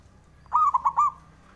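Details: Male zebra dove (perkutut) singing to provoke rivals into answering: a single phrase of four clear, mellow cooing notes, the first longest, falling slightly in pitch, over a quiet background.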